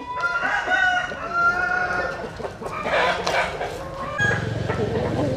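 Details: Roosters crowing at early dawn in morning sunshine, many overlapping mid-distance crows, with a steady low engine-like hum starting near the end.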